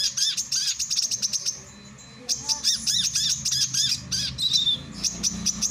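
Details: Male brown-throated sunbird singing, for training and luring birds: fast high chirping and arched twitters, a brief near-silent pause, then more rapid sharp chirps and a thin falling whistle.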